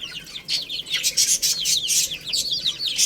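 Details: A crowd of little chicks chirping loudly while eating, high repeated downslurred peeps packed closely together, mixed with bright tapping sounds of pecking.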